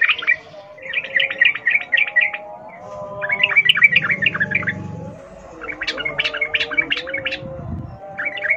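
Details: Sooty-headed bulbul singing wild forest-style rapid rolling song, used as a lure to get captive birds singing; bursts of bubbly, chattering notes repeated quickly in separate phrases, with a faint low rumble underneath.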